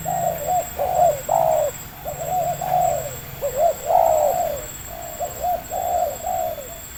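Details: Wild local spotted dove with a medium-pitched voice, lured during bird trapping at Libaas, Indonesia: mellow hooting coos in short phrases, a few quick notes then a longer drawn-out coo, repeated through the recording over a steady faint hum.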